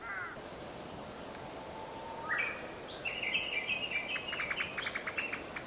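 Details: Japanese bush warbler recorded on 22 April 2020 on the way between Zenshoji and Shofukuji temples: a long, level whistle and a rising phrase, then a rapid series of sharp repeated notes, over a steady background rush.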